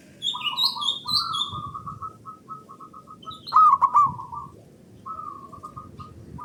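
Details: Zebra dove of local stock sung as a lure for other doves: long run of rapid staccato cooing notes, then a loud stuttered burst, while another bird whistles higher phrases at the start.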